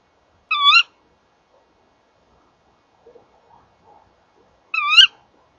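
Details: Male and female Tawny owls calling at their nest box at night: two sharp, harsh, slightly rising calls about four seconds apart, each roughly a third of a second, with faint soft scratching in between.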